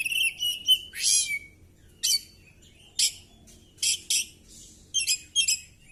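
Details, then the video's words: Oriental magpie-robin displaying aggressively with spread tail and emptying out its repertoire: an opening warbled whistle, then a harsh rasp, followed by short scratchy chirps spaced roughly every second. "Burung kacer gacor!!kacer tarung buka ekor bongkar materi"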